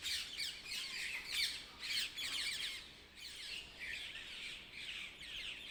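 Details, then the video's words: Early-morning birds in a dense chorus of rapid high chirps and harsh squawky twitters, loud in the first half and softening later. "Early morning # Birds # chirping"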